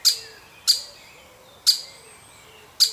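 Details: Baby woodpecker in a wild family being fed: four hard, high, percussive notes in three seconds, irregularly spaced, each with a fading ring, over faint low whistled tones.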